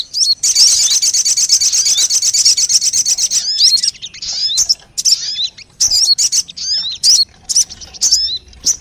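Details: Crested jay lure calls: a dense, continuous high buzzy rattle for about three seconds, then scattered sharp, hooked chirps and short metallic notes, several birds calling at once.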